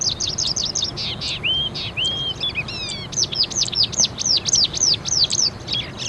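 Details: A crested lark (Galerida cristata) near Islamabad, Pakistan, sings a fast, unbroken stream of high chirps and short slurred whistles, with a few drawn-out fluty notes, over a faint low background rumble.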